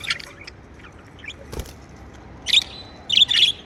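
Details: Pet budgerigars chirping: a few short bright chirps at the start, then a quiet gap with one sharp click, followed by clustered high chattering notes near the end.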